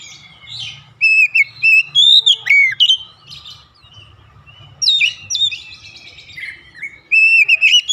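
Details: Oriental magpie-robin in rhythmic calling song, delivering rapid strings of sweet whistles and sliding notes mixed with a harsher buzzy passage, in bursts separated by short pauses; low rumble in background.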